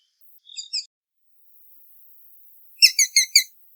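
A sharp-shinned hawk gives two quick high notes, then a rapid run of four shrill, sharp kek notes, about five per second. Nothing else is heard.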